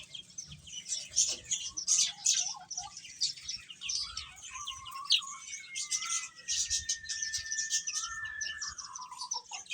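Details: Baby chickens chirping while eating, a dense chorus of high, overlapping peeps with a long thin whistle-like tone held steady through the second half.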